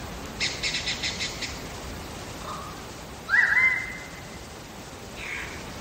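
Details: Singing wild lyrebird in Megalong Valley, Blue Mountains, Australia: a rapid run of about seven evenly spaced buzzy notes, a soft low note, then a loud warbled whistle fading into a long held tone.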